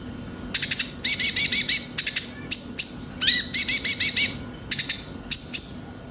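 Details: Thin, high twittering of the konin (Van Hasselt's sunbird) in a lure recording for kept birds: chip bursts alternating with short runs of rapid repeated whistled notes.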